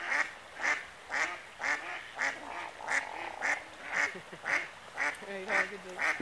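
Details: Excited hooded merganser vocalizing as it swims: a continuous series of brief, harsh, rasping calls about twice per second, fairly regular, with a soft lower humming tone in the middle and near the end.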